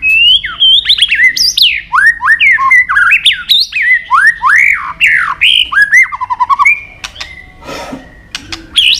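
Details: White-rumped shama in a long training song mixing many forest voices: a rich, rapid run of loud looping whistles and slurs, a short rattling trill, and a burst of harsh noise.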